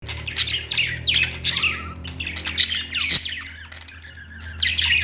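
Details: Lovebirds in a pet store, a flock chirping and squawking together in dense, overlapping bursts of harsh high notes, with a sharp click near the middle and a steady low hum underneath.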